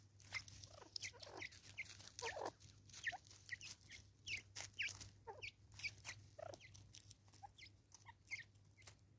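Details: Natal spurfowl, also known as Natal francolin, in South Africa in 2024: a long run of harsh, raucous cackling notes, each a quick downward sweep, tumbling over one another, with a steady low hum underneath.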